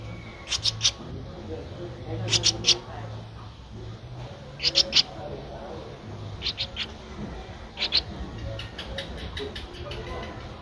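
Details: Streak-eared bulbul nestling, 13 days old, at Ubon Ratchathani, Thailand, on 15 April 2023: short, high, sharp chips in clusters of two to four, repeated every couple of seconds over a low background hum.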